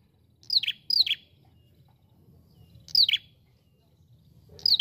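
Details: Calling ashy prinia, the prenjak kepala merah, giving doubled high whistled notes that fall sharply in pitch, spaced a couple of seconds apart over quiet low background noise.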